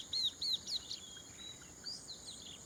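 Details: Chestnut-capped Babbler in rice fields of Prachuap Khiri Khan, Thailand, early morning, gives three quick, high, slurred whistled notes about a third of a second apart, then a fainter fourth, over a steady insect hiss.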